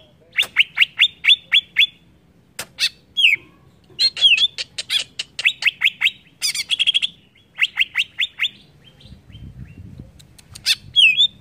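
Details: Greater green leafbird song, used to provoke other leafbirds: bursts of five to seven quick downslurred chirps alternate with upward-sweeping whistled notes, separated by short pauses.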